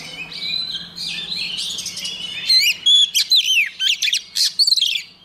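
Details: White-rumped shama singing; muffled warbling first over a low hum, then a clear sequence of loud sharply swept whistles and chirps repeated about every half second.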